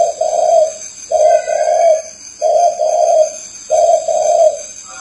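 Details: Spotted dove cooing: four low, soft phrases, each a short note run into a longer hooting note, repeated about every one and a quarter seconds, steady and clear against a faint background hiss.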